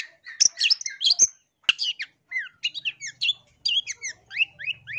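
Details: Long-tailed shrike song used as a lure for trapping wild birds: clear, rapid series of scratchy chirps and short whistled notes, some rising, in quick bursts with brief gaps; faint low hum in the background.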